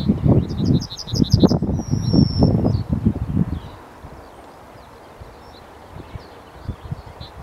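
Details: Yellowhammer song: a quick run of about seven repeated high notes, then one long drawn-out high note, heard over loud low rumbling and rustling noise that dominates the rest of the recording.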